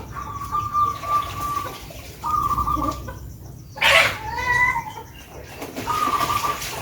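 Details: Local Javanese zebra dove from Blora, Central Java, singing in the Adeg Wirama style, Ngepat Pakem Mataram. Soft, level, purring trilled coos are repeated in three phrases, with a brief wing flap and a broad rushing noise between them.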